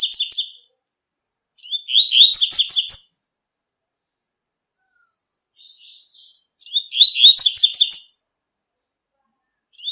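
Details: Double-collared seedeater in nature repeating its tui-tui song: lively warbled phrases of quick trilled notes about every five seconds, with soft quiet twitters in between; no other sounds.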